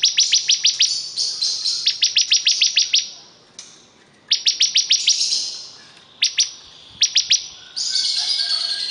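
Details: Very vocal bar-winged prinia singing bursts of crisp, high-pitched chip notes, fast and evenly spaced, broken by short silences between phrases, ending in a rougher, buzzy high note.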